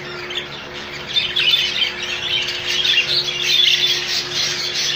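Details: Rainbow budgie colony calling together, with thin squeaky warbles and chirps building slightly in loudness, set against a constant low electrical hum.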